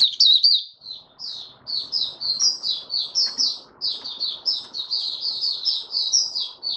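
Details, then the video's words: White-eye singing a continuous stream of high, slurred twittering notes at an even pace, with a low background hum throughout. "Mata Puteh Raja Stablizing his form buka sing"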